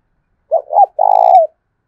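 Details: Spotted dove, 'giọng thổ' voice style, cooing to stir wild doves and decoy birds to fight: two quick rising-falling notes, then a long rough pulsing coo ending in a downward slur.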